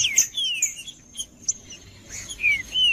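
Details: Green-winged saltator song meant to get other birds of its kind singing: clear whistled notes that slide downward, separated by brief pauses, with a faint steady high tone in the background.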